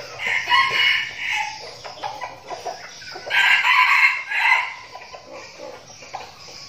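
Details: A training flock of decoy red junglefowl in Binh Phuoc, Vietnam: two rough, broken crows, the second longer and louder, with clucks and rustling filling the gaps.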